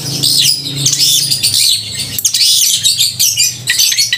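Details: Singing long-tailed shrike, its loud, crystal-clear voice meant to provoke emotion and mating urge in other shrikes: continuous shrill, twittering high notes with scratchy rasps and a few sharp clicks, over low background hum.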